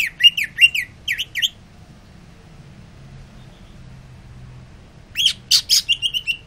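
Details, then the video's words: Greater green leafbird singing after sunbathing, cooling down: short bursts of sharp, slurred whistled notes around two to three kilohertz-high pitch, a pause of near silence, then another rapid run of bright chirps. "Cucak ijo rajin bunyi"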